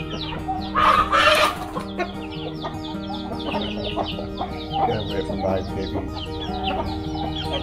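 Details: Free-range backyard chickens on a farm clucking and chattering in short, uneven bursts, with a louder squawk near the start, over steady background music.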